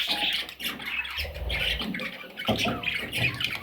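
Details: Parrot chicks squawk in scratchy, uneven bursts, with short low thuds and rumbling between the calls.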